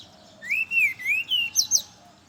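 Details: Brown-chested jungle flycatcher in the morning, its song used as a lure for others of its kind: sweet whistled notes gliding up and down, ending in two sharp higher upslurred notes.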